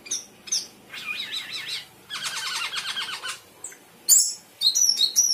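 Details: Sooty-headed bulbul singing varied phrases over a low background hum: short whistles, a wavering warbled run, a long rapid zigzag trill, then sharp high chips.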